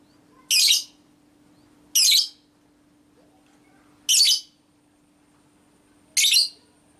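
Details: Lovebird hen producing ngekek, konslet minor style, to provoke other lovebirds: four harsh, noisy screeches, each about a quarter second long, spaced roughly two seconds apart, with a faint steady hum.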